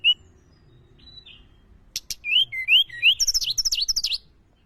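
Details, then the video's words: Mountain tledekan calling as a lure: scattered high whistles, then sharp clicks and a fast series of rising whistled notes, climbing into rapid high chirps, over a faint low rumble. "pancingan suaara burung tledekan gunung"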